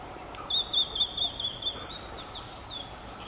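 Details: Blue-and-white flycatcher singing on a sunny June 2014 morning at Kobe Municipal Forest Botanical Garden, Japan: a rapid high trill lasting about a second, then fainter thin notes from other birds over quiet hiss.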